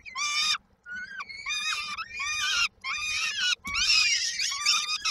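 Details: Begging peregrine falcon chicks in Koszalin, Poland, 19 May 2022, expecting their mother with supper, produce rough, drawn-out squealing cries in four or five strong bursts, some voices overlapping.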